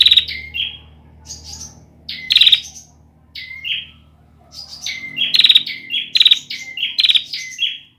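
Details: Immature bar-winged prinia, its song still not fully formed, giving repeated short phrases of high whistled slurs mixed with rapid buzzy pulsed trills, in irregular bursts over several seconds, with a faint low hum underneath.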